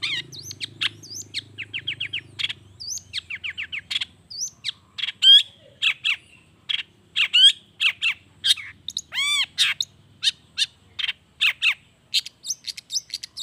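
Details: Long-tailed shrike singing a long, varied 'gacor' song with natural fill phrases, used to make reluctant shrikes respond. Trilled chirp runs, sharp clicks and looping whistles follow in quick succession, with a low hum at the start.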